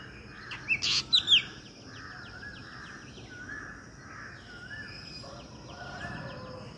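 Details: Black drongo at a birdbath by a wall near trees, calling with a quick cluster of sharp harsh notes at about one second, followed by softer repeated mellow notes and faint distant bird sounds.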